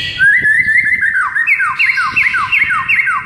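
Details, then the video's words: White-rumped shama song from a morning training recording used to rouse a silent bird: a fast run of descending whistled sweeps, then a rhythmic series of repeated downslurred notes, about two per second. "Murai batu BISU seketika NAIK EMOSI dengar MASTERAN PAGI ini"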